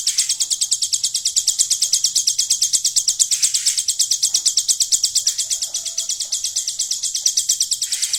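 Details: Hill prinia singing a golden grasshopper fill: a long, unbroken sequence of high, dry, ticking buzzes, evenly spaced about three each second, with only faint background noise.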